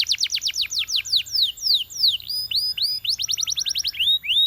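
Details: Belgian canary song meant to set other canaries singing, a varied run of sharp downslurred chirps, some quick rattled sequences and slower upswept whistled notes, high-pitched and bright throughout.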